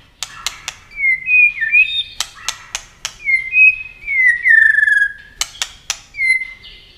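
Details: Competition-singing white-rumped shama, wings flashing and tail constantly flicking, gives clear whistled notes in short sliding phrases, each several seconds long, separated by crisp dry clicks in a quiet room.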